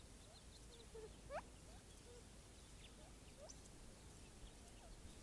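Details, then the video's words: Gambel's quail among several gathering to drink on a hot morning, doves nearby: scattered short, thin rising and slurred call notes, one louder upward-swept note near the start, faint outdoor background. "Gambel's Quail Gather for a Drink"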